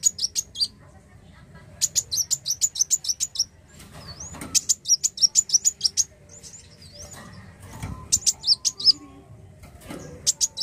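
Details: Black sunbird repeating bursts of quick, high, metallic chips interspersed with slurred whistled notes, with occasional soft rustling noises in the gaps.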